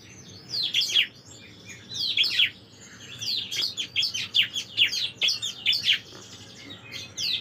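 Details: Bar-winged prinia singing, recorded as master material for tutoring songbirds: rapid series of high, sharp chirps and steep down-sweeping notes in clustered phrases, some closely repeated, over a low steady hum.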